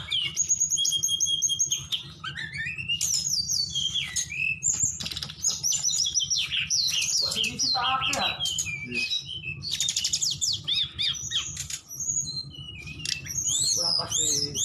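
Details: White-rumped shama, Aceh type: loud song pouring out rich whistles, sweeping slurs and rapid chattering trills.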